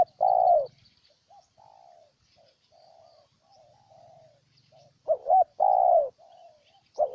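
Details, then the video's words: Spotted dove from Ninh Thuận, Vietnam. A loud, drawn coo is followed by quieter scattered coos. Then comes a full phrase of a quick double hoot and a long falling coo, over a faint low hum. "Cu Gáy Ninh Thuận"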